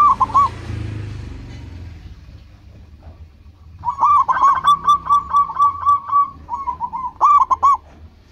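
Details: Local zebra dove singing actively to answer and lure rivals: one coo phrase, a quiet gap, then a rapid rolling string of staccato coos followed by two short bubbling phrases, with faint low background noise.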